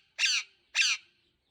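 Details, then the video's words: Green parrot producing two rough, strident squawks roughly half a second apart, with quiet between them. "Green Parrot Talking Natural Sounds | Tote Ki aawaaz"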